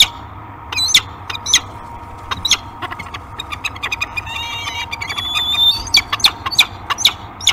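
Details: A pair of peregrine falcons, Newman and Nova, mating on a nest cam on 4 March 2021, gives harsh, high chittering squawks in irregular bursts, some with drawn-out whining notes, over a faint steady hum.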